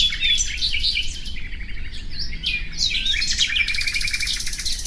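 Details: A common nightingale sings a busy stream of rich, varied phrases. A rapid repeated trill runs through the opening second, then fluty slurred notes follow, and a sustained rattling series closes the clip. Faint background hum throughout.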